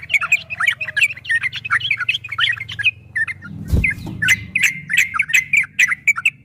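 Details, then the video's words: A yellow-vented bulbul sings a quick, bubbling ropel song in a training recording for caged birds. Tumbling chirps and warbles are heard over a steady low hum, with one loud knock partway through. "Suara burung trucukan MASTERAN TRUCUK ROPEL 2023 TERBARU ‼️PASTI GACOR, TRUCUKAN ROPEL PANJANG"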